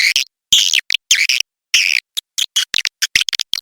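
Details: Swiftlets in a lure recording: short, high, squeaky chirps and twitters in uneven bursts, with quick clicks and silent breaks between them.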